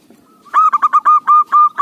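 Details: Local zebra dove singing, its voice judged suitable as a lure: one faint note, then a loud, rapid string of cooing notes, some short and some drawn out.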